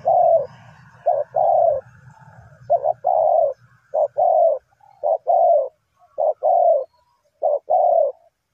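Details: Lure spotted dove used in trapping calls steadily, short coo then longer coo, about six phrases in a row; a low rumbling hum underlies the first half.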